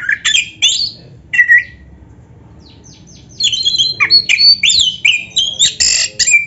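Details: Oriental magpie-robin song to stir other magpie-robins into singing: a few sharp rising whistles, a pause, then a long fast sequence of scratchy, whistled and chattering notes.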